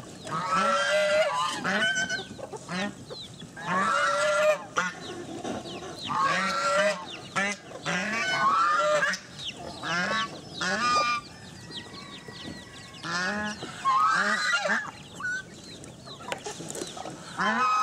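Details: Geese trying to attack a wild boar honk loudly and harshly in overlapping bursts, several birds calling at once.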